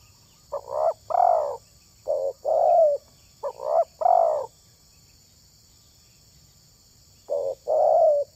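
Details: Spotted dove cooing, as used in the hobby of luring wild tekukur: four short phrases of paired low coos, a clipped note then a longer one, followed by a quiet stretch and a final phrase.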